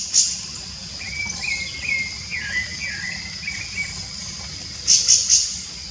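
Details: Rufous-bellied thrush singing free in nature: short warbled, slurred phrases rising and falling, over a steady high insect-like hiss, with bursts of sharp high chirps near the start and end.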